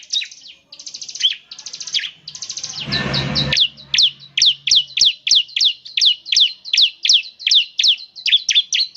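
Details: Semi-gacor bar-winged prinia song, said to prompt other prinias to sing: buzzy rattled phrases at first, then crisp high notes repeated steadily at more than one per second, broken by a brief rough noise burst.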